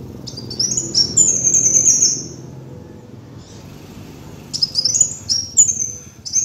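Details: Kolibri wulung sunbird on a lure track gives a high, thin, rising chip that runs into a long sizzling trill, then falls silent before several short piercing twittered notes, with soft hum underneath.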